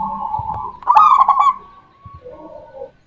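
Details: A single burst of stuttered, pulsing coos rising out of a steady hum from a local Zebra dove (perkutut) in Indonesia, followed by a fainter low coo and quiet background sounds.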